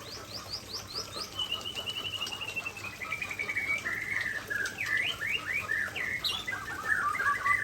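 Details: Aceh-type white-rumped shama sings its best fill-in material: high chips, a long descending chain of quick notes, sharp upswept whistles and a dense, varied warble closing the phrase.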